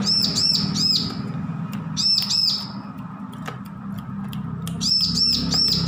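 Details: Young weaned bar-winged prinia learning its song, giving bursts of three high, arched, ringing chirps separated by short gaps, with a few sharp clicks and a low droning background.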